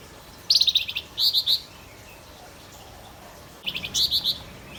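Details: Male Javan grey-throated white-eye in vigorous song, giving two bursts of high chirping: rapid sharp notes running into three or four louder, clear, slightly falling whistles, repeated after a pause of about two seconds.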